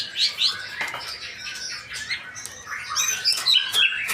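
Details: Male white-rumped shama giving high, thin whistles and scratchy chattering bursts, sharp accented notes near the start and end, with a dry rustle partway through.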